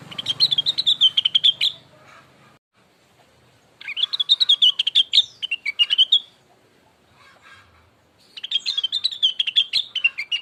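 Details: Blue-winged leafbird lure song to get another bird singing: three long bursts of fast, high chattering and twittering notes, each about two seconds long, with brief silences between them and a faint low hum at the start.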